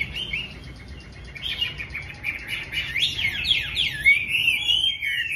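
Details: Chinese hwamei at the start of the day, singing rich, rippling whistled phrases that climb and swoop, building into loud looping warbles and bright downslurred notes over quiet background.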